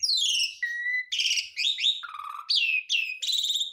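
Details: Jalak suren, the Javan pied starling, singing full isian mimicry with no breaks: descending whistles, a steady flat note, buzzy rasping bursts and a lower slurred whistle, all loud and clear.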